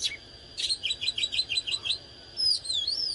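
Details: Oriental magpie-robin in fired-up display song: a harsh opening burst, then a quick series of about eight similar short whistled notes, ending in a sliding high warble, over a steady faint whine.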